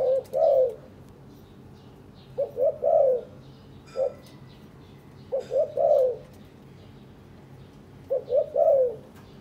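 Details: Spotted dove from a caged breeding pair that preen one another and build a nest: repeated low three-part coos, two quick notes then a longer falling coo, about every three seconds, with one isolated single coo.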